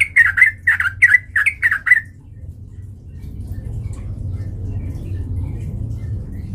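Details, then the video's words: Sooty-headed bulbul singing loudly, used as a fighting lure: about six quick, bright bubbling notes in two seconds, then the bird falls silent and only low background rumble remains. "PANCINGAN trucukan gacor TARUNG MENJADIKAN burung trucuk gacor NYAMBAR"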